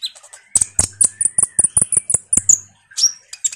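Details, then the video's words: Common iora, a vigorous chattering song used as a lure for sunbirds: a steady fast series of about a dozen high, even chip notes, then a rising whistle, over a faint low hum. "suara PANCINGAN KONIN GACOR NGOBRA"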